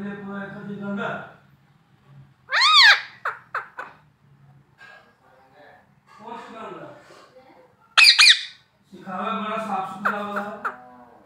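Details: Talking parrot indoors giving two sharp, loud, arched squawks amid stretches of lower voice-like chatter, with a buzzy hum under the talk at the start and end.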